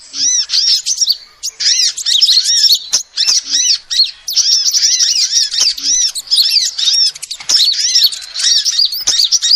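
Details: Calls of a female sunbird, used as a lure: shrill, tumbling twitter of rapid arched chirps delivered in long phrases separated by short gaps, the voice staying high and busy throughout.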